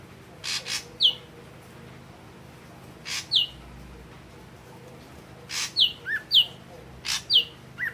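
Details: Red-eyed form of the ashy drongo in song: bright falling whistles, a short burst near the start and a denser run near the end, mixed with broad dry clicks or rustles and a quiet hum beneath.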